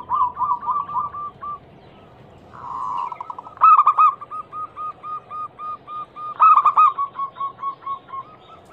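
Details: Local Indonesian zebra dove, described as a female calling the male, used as a lure to make other doves sing: fast runs of soft cooing notes, broken by louder, buzzy, stuttering bursts around three and six seconds.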